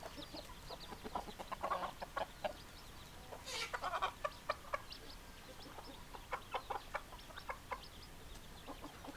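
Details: Flock of hens clucking: short, scattered clucks with uneven spacing, one louder squawk near the middle, and softer chatter fading toward the end over steady background noise.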